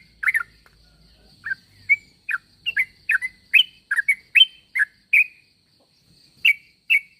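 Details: Sooty-headed bulbul calls meant to bring other bulbuls to reply: loud, bubbly chirps, first spaced, then bunched in a quick run, then two final chirps after a short silence.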